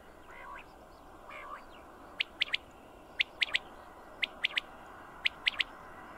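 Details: Common quail calling: sharp three-note phrases of short clicking whistles, given about once a second over a steady background hiss, with fainter softer notes at the start.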